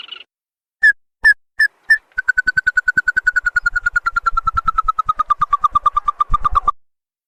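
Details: Ruddy-breasted crake used as a lure to draw wild birds into answering: a few separate sharp notes, then a long, fast run of pulsed notes that slowly drops in pitch and fades out, with low thumps underneath.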